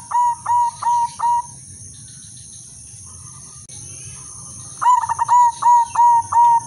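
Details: Silver zebra dove female, used as a lure to raise breeding condition in males, utters two bursts of evenly repeated clear coos separated by a quiet pause, with faint hum behind.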